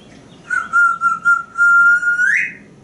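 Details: A pet African Grey Parrot, practicing animal sounds with its owner on a porch, whistles a run of short notes into one long level tone that sweeps up at the end, between spoken questions.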